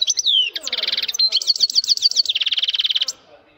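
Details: Male European goldfinch in full voice: a down-slurred whistle opens into fast metallic trills and a long buzzy rattle, notes crowding at roughly three per second before stopping abruptly.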